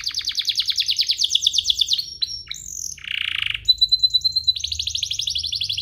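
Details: Lure song of a canary meant to make other canaries sing hard: fast pulsing high trill, a short harsh rasp, a clean sustained whistle, then another rapid buzzy roll.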